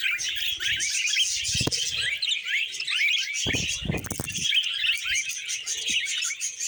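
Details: A group of budgies singing while eating vegetables, with a lively chattering warble of fast upward chirps and buzzy squeaks, broken by sharp clicks and low bumping feeding noises.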